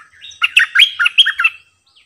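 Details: Decoy bulbul delivering a fluent run of about eight gurgling, whistled notes that warble up and down in one continuous phrase, clean and close.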